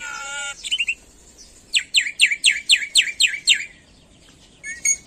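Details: Black-winged myna singing hard with a mimicry-filled repertoire: a drawn-out nasal tone gives way to a short warble, then a steady run of about nine sharp, downward-sliding whistles and a final pair of chirps.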